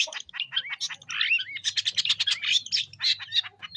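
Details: Long-tailed shrike singing on Lombok, a lively bird used as a lure for young wild shrikes: a dense run of scratchy chirps, harsh squawks and short whistled slurs with barely a pause, plus a faint low hum beneath.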